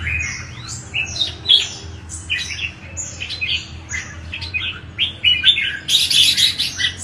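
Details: Red-whiskered bulbul singing, a song used to provoke other bulbuls into singing: a string of short, liquid whistled notes with rising and falling slurs, loud and close, with a steady low hum behind.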